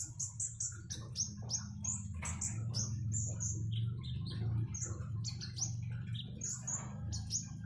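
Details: Konin, the common iora, chatters in rapid high chirps and short downslurred notes, steady throughout, over continuous splashing, trickling water.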